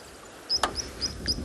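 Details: Common sandpiper at a dry, quiet dam on a hot afternoon, 19 September 2021, in a South African game reserve, with lapwings flying around; four thin, high, piping notes in quick succession, a sharp click and quiet background hiss.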